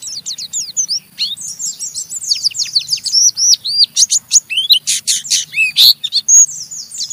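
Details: Oriental white-eye in rough ngeriwik chattering, singing to provoke a rival white-eye into chattering too. Rapid high, scratchy chips and hooked slurred notes pour out almost without pause, growing louder and harsher toward the end.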